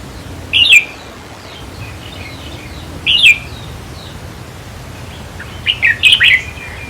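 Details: Red-whiskered bulbul, caged, its song played to rouse other caged birds; short warbled whistled phrases about every two and a half seconds, the last a longer run of four bright notes, with faint background hiss.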